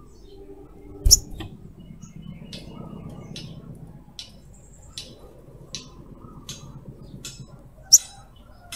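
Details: Female crimson sunbird calling the male, lure for other birds; sparse sharp high chirps at about 1 and 8 seconds, with fainter ticks between over a low hum.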